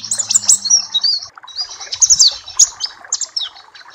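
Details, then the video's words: Papua black-capped white-eye, recorded as tutor and therapy song: high, thin warbling phrases of rapid chips and short slurred whistles, with a short gap in the middle. "Masteran dan terapi pleci Papua black cappe"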